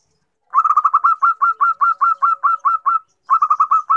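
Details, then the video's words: Female zebra dove (Geopelia striata) calling to a male, giving a fast, staccato run of soft mid-pitched cooing notes, about a dozen in two and a half seconds, then a brief pause and another quick burst. "Suara Burung Perkutut Betina Memanggil Jantan"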